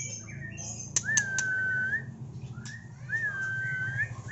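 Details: Medan-type white-rumped shama, a caged prospective contest bird shown with its tail still pushing: two long, clear, level whistles, each lasting about a second, with sharp ticking clicks before them. A low room hum sits underneath.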